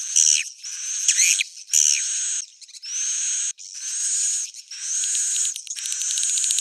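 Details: Original old-style swiftlet sound: high, shrill, buzzy twittering phrases with a few quick downward-swooping notes early on, then longer sustained chatter ending in rapid stuttering pulses.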